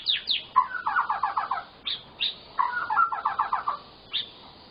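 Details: White-rumped shama song used as a lure to prompt silent shamas to sing: quick downslurred whistles followed by a rapid rattling trill of repeated notes, the phrase given twice with sharp whistled notes between, on a faint hiss.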